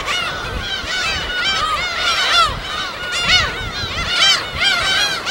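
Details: Gull colony on an uninhabited West Sea island, natural habitat recorded on site: many birds call at once, loud arched squealing cries overlapping in surges roughly once a second.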